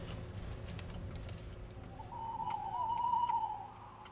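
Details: An owl hoots around 5 a.m. in the lane of the château de Lorge, a private estate of woodland and four ponds in Côtes d'Armor: a single drawn-out, slightly wavering hoot of about 1.5 seconds over a soft low rumble, otherwise quiet.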